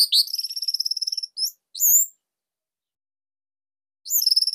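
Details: Tight, loud song of a Bali orange-headed thrush, meant to stimulate other songbirds to sing: a fast, even high trill lasting over a second, two upslurred whistles, a long silence, then the trill starts again.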